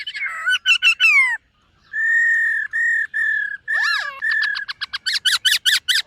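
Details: A silver-eared laughingthrush kept caged sings morning training phrases: wavering whistles, a run of steady held whistled notes, a deep looping swoop, then rapid repeated chattering notes.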